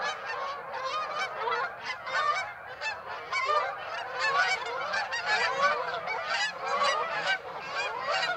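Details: A large flock of Canada geese at Birds Hill on 26 September honking together, a constant overlapping chorus of nasal, two-note honks with no pause.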